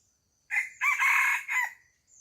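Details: A farm chicken gives a single loud cock-a-doodle-doo: a clipped first syllable, a drawn-out strained middle, and a short dropping end. Soft high-pitched chirping lingers in the quiet background.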